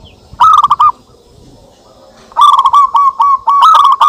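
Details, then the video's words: Zebra doves calling back and forth as a lure: one short rolling burst of coos, a quiet gap, then a long run of rapid, clipped, bouncing notes. "perkutut lokal gacor suara saling saut cocok untuk pancingan"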